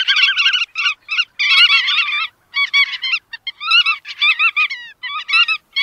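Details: Bar-tailed godwits: bursts of harsh, nasal, overlapping yelps from several birds. A loud, dense stretch comes early, followed by choppy, irregular groups of notes with short gaps.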